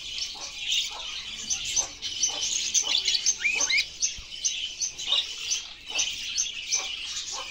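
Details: Budgerigars singing: dense, continuous high warbling chatter of rapid chirps and squeaks, with brief sharper rising notes mixed in and no pauses.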